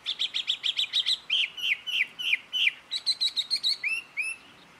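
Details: Mimicked bird calls from a jungle babbler in Karnataka, India: rapid stuttering high notes, then a string of downslurred whistles, then more fast chips, ending in two separate upward-curving notes.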